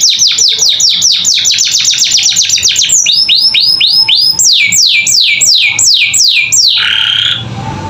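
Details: Captive canary tutor song, gacor style: quick descending whistled notes speed into a rapid chatter, followed by slower sweeping downslurs and a harsh rasping note at the end.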